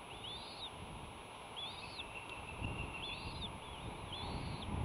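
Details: Bald eagles filmed by a nest camera at Sauces, Santa Cruz Island, California, 15 March 2018, while fighting; a few high, squeaky, arched piping notes, separated by pauses, over constant low rumbling noise.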